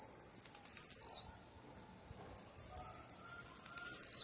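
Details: Twice in a few seconds, a blue-black grassquit gives high dry ticks leading into a strong buzzy falling slur, with a quiet gap between phrases.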